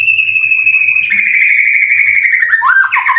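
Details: Caged white-rumped shama from Indonesia, prepared for singing contests and carrying cililin song material. Very loud, long drawn-out whistle holding one pitch, turning buzzy and roughened midway, ending in quick downward slurs.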